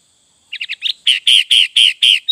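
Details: Sooty-headed bulbul with full isian song: three quick chirps and a rising note, then five loud, rich, evenly spaced buzzy whistles about a quarter second apart, ending with a short high pip.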